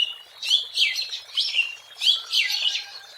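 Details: A wild Oriental magpie-robin (Copsychus saularis) sings a run of varied, sweet whistled phrases, high and warbling, in quick succession with slight rises and falls.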